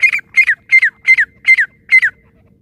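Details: Female teetar, a francolin, giving a steady series of six harsh, slightly descending rasping notes, each doubled, spaced roughly every four tenths of a second over a faint steady hum.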